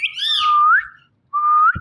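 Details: Indian ringneck parakeet kept as a talking pet, giving two clear whistles, the first swooping high then gliding down and rising at its end, the second a level tone curling upward.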